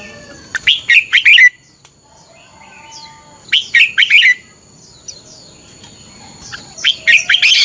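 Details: Red-whiskered bulbul in competitive fighting song, played to train birds to sing in the morning: three loud warbled phrases of quick, rich notes spaced about three seconds apart, thin high whistles between.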